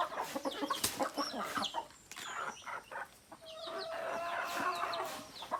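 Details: Native chickens, roosters and hens, giving sharp clucks at first, then a quieter stretch, then a long drawn-out call, with small birds chirping.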